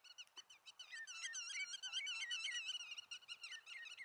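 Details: Common redshank calling in Eemland nature area near Eemnes, Netherlands, on 5 April 2014: a fast, dense run of ringing, slurred piping notes, nearly three a second, some overlapping.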